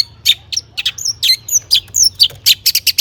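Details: Long-tailed shrike song full of imitated material, meant to provoke other shrikes into singing; irregular bright chirps and short upslurred whistles, quickening near the end into rapid, evenly spaced high notes, with a soft low hum beneath.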